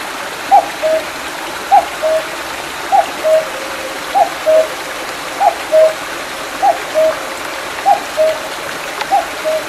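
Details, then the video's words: Mountain stream behind Mandeok-dong after July rain, 2019, with a cuckoo repeating its two-note cu-coo, descending from higher to lower pitch, eight times at a steady pace over continuous flowing water. "뻐꾸기 소리(Sound of a small stream and a cuckoo)"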